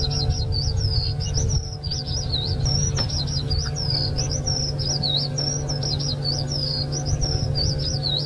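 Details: Eurasian skylark (Alauda arvensis), song.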